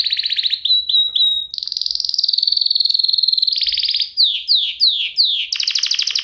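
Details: Canary song played to teach caged canaries: a buzzy trill, short level whistles, a long fast rolling trill, then several falling slurred notes and a final rough trill.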